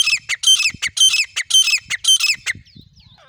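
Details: Grey francolin, with male and female birds offered, giving loud, harsh, grating notes in rapid bursts of about two per second that stop after two and a half seconds, leaving faint thin chirps and low rumbling below.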